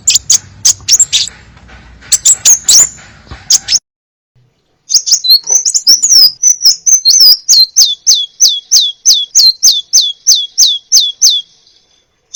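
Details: Crimson sunbird song, a varied tutor recording for training birds: clustered high chirps, a brief silence, then a steady run of about sixteen downslurred high notes repeated roughly three per second.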